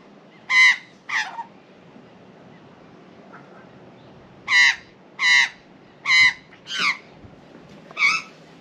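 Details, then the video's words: A female Australian magpie flies up from her nest and angrily objects to a cat on a balcony, giving loud, strident, rasping squawks: a pair, a pause, then five more in quick succession, over a faint hum. "Mrs M LOUDLY objects to cat"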